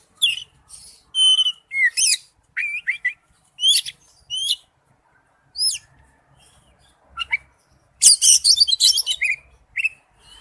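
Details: Oriental magpie-robin singing in the wild-type forest-voice style: loud, varied whistled phrases of rising and falling slurred notes in bursts, pauses between groups, then a dense burst of rapid, scratchy, chattering notes near the end.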